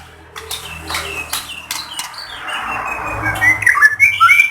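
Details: White-rumped shama from Lahat, used as a lure to provoke other shamas into singing: harsh broadband squawks and clicking bursts open the phrase, then a noisy swelling passage ending in short, sharp, high whistled notes.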